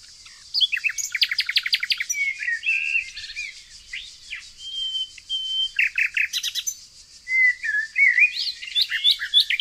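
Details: Nightingale in the green nature of Tonekabon, Mazandaran province, Iran; bursts of rapid repeated notes alternating with clear drawn-out whistles and twittering phrases, set against a constant high background chorus of other birds.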